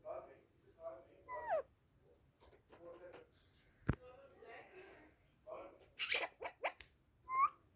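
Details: Angry pet parrot talking with a person indoors, giving short speech-like phrases mixed with rising whistled notes and a few harsh high bursts, with sharp clicks and pauses between utterances.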